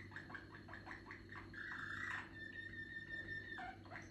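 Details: A Malinois (Belgian) canary with "pio vaca" song, still maturing its song, sings a run of soft, rapid rolling notes, then a sustained watery trill; a low steady hum underlies it.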